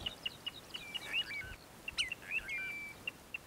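Little ringed plover giving short high piping notes, about four per second, with a few slurred descending whistles mixed in.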